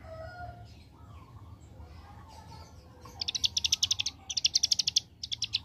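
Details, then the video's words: Ciblek gunung, bar-winged prinia, singing in the machine-gun 'ngebren' AK47 manner: after three quiet seconds, quick bursts of sharp, high, evenly spaced chips arrive in three close runs. "Ciblek Gunung Paud Gacor Ngebren Ak47"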